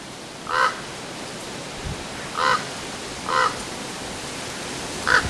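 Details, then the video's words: Four brief, rasping calls from a common raven, recorded on 10 February 2015, spaced irregularly one to two seconds apart over a steady background hiss, the last call sharper and louder. "Raven Talk"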